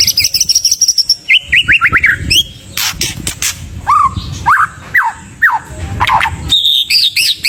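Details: Continuous White-rumped shama song, rich in varied phrases, meant as a lure for other pet birds: a descending run of quick notes, then scattered sharp whistled slurs and chips, later a high twittering phrase.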